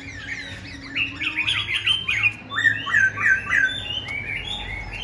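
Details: Tame Black-throated laughingthrush, kept caged and singing all day, delivers a dense, fast stream of clear whistled phrases. Notes repeat in quick rising-and-falling groups, with a short pause mid-way, against a faint background hum.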